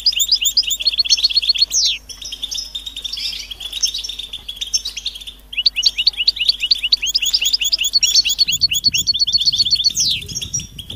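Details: Goldfinch mating and readiness calls that stimulate males to sing: continuous high, tinkling twitter with rapid clicking note runs and occasional sweeping down-slurred whistles, a low hum faintly present and light rustling near the end.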